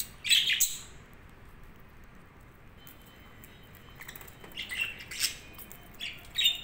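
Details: Budgies giving a loud squeaky chirp, a long quiet pause, then scattered softer chirps and warbles near the end.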